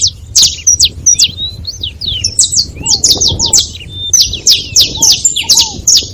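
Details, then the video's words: Several saffron finches calling at once: clusters of high, crisp chirps and quick slurs in uneven runs, plus paired low arched whistles. "Canário da terra junto fazendo barulho"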